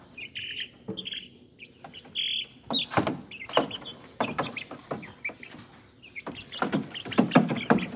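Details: Young Speckled Sussex chicks, hatched March 22, 2023 and recorded April 30, 2023, utter clear high whistled peeps in quick runs early on, then loud knocking and scratching thumps mixed with further scattered cheeps.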